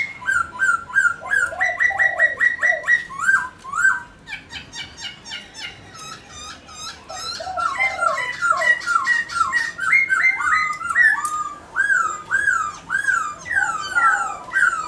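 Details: Captive Black-throated laughingthrush in long dancing song to stimulate pet birds: quick repeated whistled notes, a rattling click series, then a varied, loud sequence of rising and falling slurred whistles.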